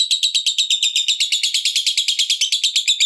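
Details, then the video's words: Lovebird fighter in long ngekek, a dense buzzy rattle of rapid harsh pulses repeating without pause, meant to trigger other lovebirds to sing. "Suara Ngetiknya Bikin Lovebird Manapun Cepat Terpancing Ngekek dan Cepat Bikin Musuh Ikut Gacor"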